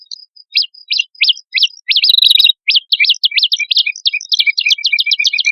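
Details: Singing male and female prinia (prenjak kepala merah) used to lure birds, giving a fast accelerating series of sharp upward-flicking chirps that blur into a dense chattering run near the end.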